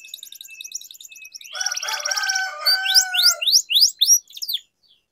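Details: Canary training song for silent or young canaries: a thin high trill, then a dense buzzy roll with lower harmonic tones, followed by loud rapid upward sweeps repeated in a quick series.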